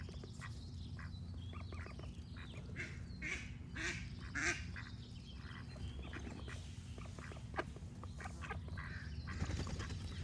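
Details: Ducks give a run of louder, broader quacks mixed with quicker chatter, while other birds sing faintly and a low rumble continues throughout.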